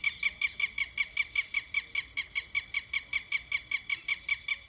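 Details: A bird in a village setting in Karauli gives a fast, steady series of shrill, squeaky notes, about four or five each second, with nothing else clearly heard.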